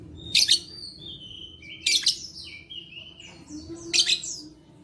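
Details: Lovebird song played as therapy to coax quiet lovebirds into singing, recorded 11/4/21: piercing, harsh chirp bursts every one and a half seconds, linked by thin descending whistled glides, with a low steady hum beneath.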